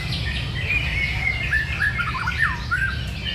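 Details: White-rumped shama in full song: short pure whistles followed by looping, downslurred and warbled phrases, set against constant low background rumble.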